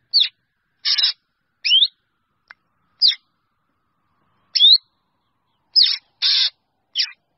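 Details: Calling to gather the flock, a drongo gives an irregular series of sharp whistled slurs and broad harsh rasps, with one gap of more than a second mid-sequence.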